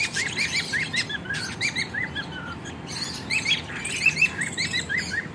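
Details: Budgies and lovebirds in an aviary in Juhapura, Ahmedabad, chattering together in a busy chorus of quick, rising chirps and squeaky warbles.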